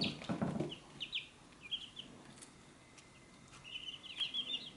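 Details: Chicks at a feed dish: a loud low clatter opens, then scattered high peeps, a pause, and a renewed burst of rapid cheeping near the end.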